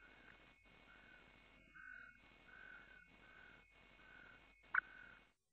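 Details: Montagu's harrier at the nest on 23 June 2015, female bringing a mouse and feeding: thin, drawn-out mid-pitched notes repeated roughly every second over a steady electrical hum, with one sharp click near the end.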